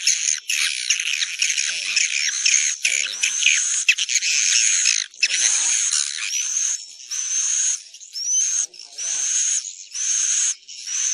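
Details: Swiftlets calling in a lure recording meant to bring them to roost in a building: rapid buzzy chattering in bursts separated by short pauses, with occasional rising whistled slurs.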